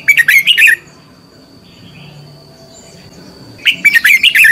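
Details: Red-whiskered bulbul decoy singing a competitive song for training other birds: two dense bursts of bright, bubbling, warbled notes, the first longer, separated by a few seconds of near silence.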